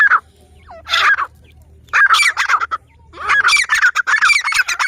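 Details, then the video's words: Grey francolin, a ground-living bird of open cultivated land and scrub forest in Pakistan, locally called teetar: loud harsh bursts of repeated notes in clustered phrases with short pauses, a steady low hum beneath. "teetar ki masti ki video"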